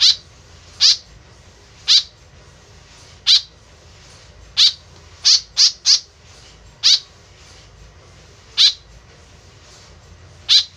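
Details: White-breasted woodswallow, a tame bird, giving its lure call: about twelve rasping, down-sweeping notes, mostly single, with a rapid cluster of three in the middle.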